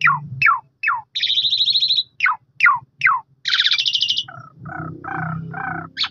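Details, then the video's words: Asian pied starling song used to provoke a silent bird into singing: fast descending whistled notes, buzzy rattling bursts and a chattering close, with a faint low hum behind. "2 X Pancing !! JALAK SUREN BISU LANGSUNG NYAUT GACOR DOR"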